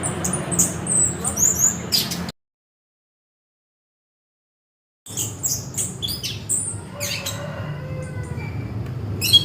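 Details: Orange-headed thrush singing in a burst of high, sharp chirps and squeaky whistled notes, a gap of silence, then more rapid varied chirps and rising whistles over a low steady hum.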